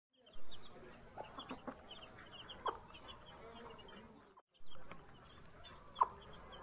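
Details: A rooster meets its baby chicks for the first time. Low clucks sound together with sharp, high chick peeps, and there is a short break midway through.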